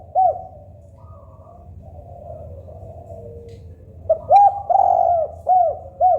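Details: Local spotted dove: one arched coo, then a quiet gap with faint distant cooing, then a full phrase of short note, arched coo, long sustained coo and two rounded coos.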